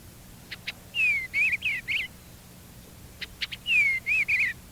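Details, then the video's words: Eastern bluebird singing two soft warbled phrases, each with a few short chips, a rich falling whistle and three burry warbles, fairly high. "The song of the eastern bluebird can be thought of as a soft warble with rich whistle notes and occasional chattering."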